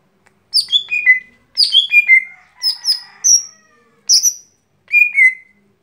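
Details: Daily singing of a lesser green leafbird: six quick phrases of bright, high whistles, most dropping stepwise from shrill to lower notes, one rising sharply, with brief gaps between them and near-silent background.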